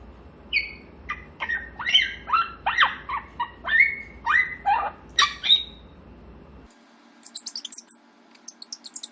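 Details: Pet grey parrot in its morning chatter session: a lively run of varied whistled and squawky notes, some rising and some falling, about one each half second, ending in a few thin, high clicky sounds.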